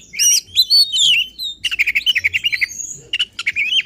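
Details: Oriental magpie-robin in agitated, excited song used to provoke other magpie-robins: varied whistled notes and slurred phrases, then a fast run of about a dozen repeated sharp chirps, later buzzy bursts and more whistles.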